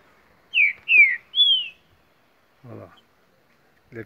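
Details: Green-winged saltator, a young bird about two years old, in the bush at Mar de Espanha, Minas Gerais, Brazil: three loud clear whistled notes, the first two slurring downward, the last rising then falling, followed by a man speaking.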